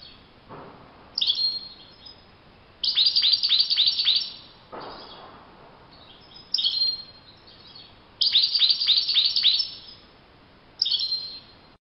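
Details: European goldfinch heard in nature, repeating short phrases of quick, sharp twittered notes in rhythmic clusters every couple of seconds, with a few faint low knocks in the background.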